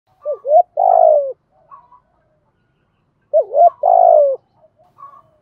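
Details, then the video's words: Spotted dove cooing, a call played to stir other doves into calling: two low cooing phrases a few seconds apart, each a short double coo then a long vibrating coo, with faint soft notes between. "Tiếng Cu Gáy Giọng Hạp BổI [ GÁY GỌI,THÚC,GÙ ]"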